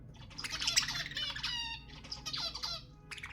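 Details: Budgerigar sounds to encourage mating: a softer, steady warble of tonal chirps and short whistles. Quieter stretches come between the busier phrases.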